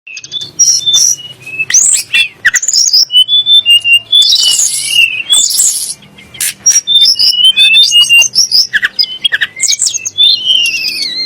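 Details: Sunda blue robin song, said to rile kacer (magpie-robin) and muri birds into singing; a rapid, varied run of high whistles, slurred rising and falling notes and scratchy chips, densely packed with little pause.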